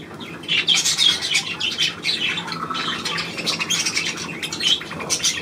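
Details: Budgerigar chatter recorded 9 February 2024: softer, scratchy twittering with occasional clearer whistled notes, building into louder squawky bursts and then easing off.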